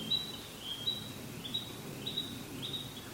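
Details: Seldom-heard call of a Japanese pygmy woodpecker filmed 21 May 2016, another calling alike close by; five short, clear whistled notes repeated roughly every half second over a low hum of background noise.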